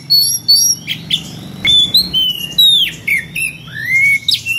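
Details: Loud ngeplong song of a magpie-robin calling a rival, with odd variations: quick paired high chips, then clear downward-slurred whistles and a final upswept whistle, delivered in short spaced bursts over low background rumble.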